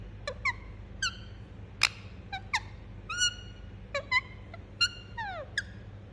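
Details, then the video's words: Indian ringneck parakeet kept as a pet, giving scattered sharp chirps and squeaky whistled notes, some slurred downward, spaced irregularly over a low steady background hum. "Parrot Chirping Sound"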